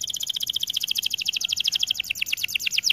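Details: White AF canary in an aviary delivering a dense, fast trill of sharp high notes, steady at first and then dipping into a lower, chopped rolling phrase, with no other clear sounds.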